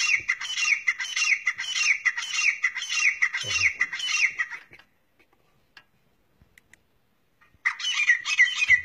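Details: A grey francolin in Pakistan gives loud, shrill, repeated phrases, more than one a second, for about five seconds, then falls silent before calling again; a low thump is heard once.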